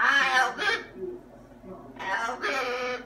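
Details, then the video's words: Captive macaw being talkative: a harsh, speech-like phrase of two syllables, a quiet gap, then another two-part raspy utterance. "Talking Parrot ELVIS THE MACAW"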